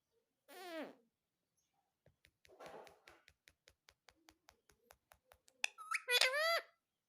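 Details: Parrot said to call "mummy": one short descending squawk, a long run of evenly spaced light taps, then a rising whistle and a loud two-part wavering utterance.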